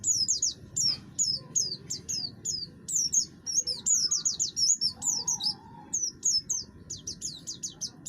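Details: Harsh-voiced buxtoni oriental white-eye singing to spur other birds into song. Thin, high notes slurring downward tumble out in quick bursts, with brief pauses, over a steady low rumble.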